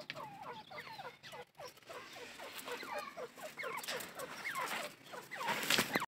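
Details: Grey francolin giving a long series of loud, ringing, swooping notes, each dipping then rising, repeated rapidly and steadily throughout, growing busier toward the end, where a harsher noisy burst is also heard.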